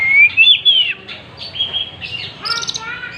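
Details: An Oriental magpie-robin displaying with its tail spread gives bright, sustained whistles that rise and fall, ending in a buzzy, rattling phrase.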